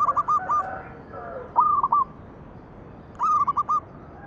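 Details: Zebra dove song played to coax other doves into singing: quick bursts of four or five clipped, hooked coos about every one and a half seconds, clear over a light hiss.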